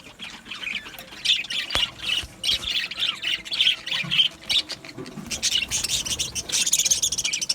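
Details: Australian budgerigars in a colony aviary, continuous chirping and warbling in quick pulsed phrases, growing denser and higher toward the end.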